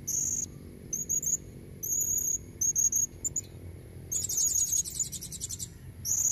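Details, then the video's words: High, piercing chirped notes from a female blue-crowned hanging parrot luring red-necked males, delivered in short repeated phrases, then a longer rapid buzzy trill before the chirps resume; soft low hum underneath. "Suara serindit betina buat pancingan jantan leher merah"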